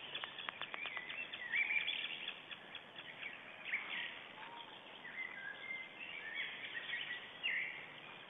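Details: White-tailed eagle at an Estonian nest camera on April 9th, 2010, around 06:57 in the early morning, calling as a greeting during a shift change at the nest. A quick run of sharp repeated yelps opens, then scattered chirps over steady background hiss.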